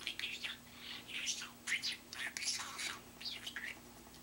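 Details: Pet budgie owned by a family member, with a large vocabulary of mimicked human phrases such as "mommy loves you" and "drink of water"; high, raspy, whisper-like syllables come in quick bursts with brief pauses, recorded indoors.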